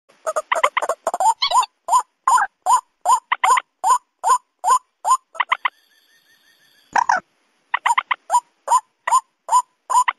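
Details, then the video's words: White-breasted waterhen lure recording mixed with mandar rail calls, meant for luring birds by day or night: fast series of short, hoarse, croaking notes, about two or three per second, broken by a brief pause and a high thin tone midway. "suara pikat kombinasi ruak-ruak & mandar cocok siang atau malam hari"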